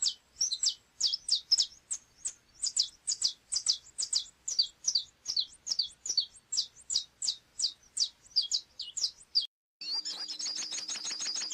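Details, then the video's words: Saffron finch pouring out a long, rapid sequence of sharp, high, down-slurred notes for about nine seconds, then a brief cut to a denser, buzzier run of high rattling notes. "Canto do canário chapinha"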